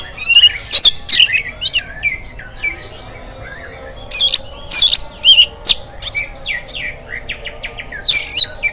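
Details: Morning song of an oriental magpie-robin used to get other birds singing: scattered bursts of shrill whistles and chirps with softer twittering between, above a constant low hum.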